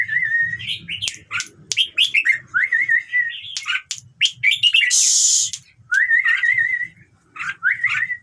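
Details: Red-whiskered bulbul singing, a recording meant to excite other birds into song: clear whistled notes and quick warbled trills in rapid phrases, broken by a harsh rasping burst, with a faint low hum underneath.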